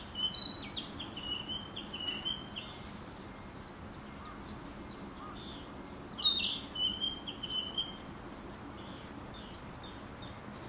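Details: Narcissus flycatcher singing, dated 200509: two bright, whistled phrases about five seconds apart, with high short chirps in between over a steady low background hum.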